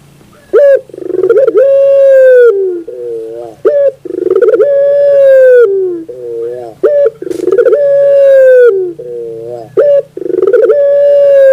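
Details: Puter pelung dove singing in the morning: repeated phrases of a sharp opening note, a rapid rolling trill and a long, steady coo that slides lower at the end, followed by a softer, lower trailing note.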